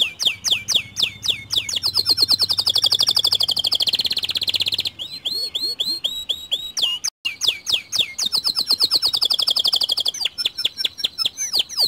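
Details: White canary song used to set other canaries singing: loud, varied high phrases of rapid buzzy trills and swept whistles. A short break comes near the middle before the trilling resumes.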